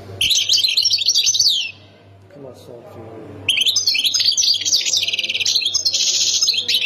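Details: Khemis Miliana style song of a European goldfinch, Ain Defla, Algeria: a loud, busy high twitter, then a pause with faint low voices, then a long, unbroken stream of chattering trills and buzzy notes.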